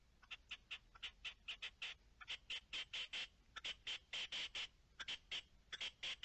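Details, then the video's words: Red-legged partridge calling, dated 10-03-21: rapid series of short, sharp, high clipped notes in quick irregular bursts over a steady hiss. "Reclamo de perdiz"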